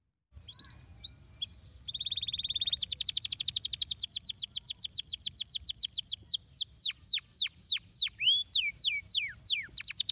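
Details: Singing canary performing a stimulating song to set other canaries singing: a few rising whistled notes open into a long, very rapid high trill that gradually slows into deep, steep falling sweeps.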